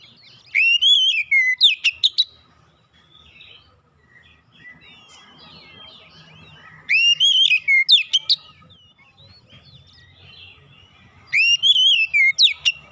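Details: Oriental magpie-robin singing to encourage a mute bird: three loud bursts of fast whistled and chattering notes, roughly every five seconds, separated by quiet gaps with faint softer calls.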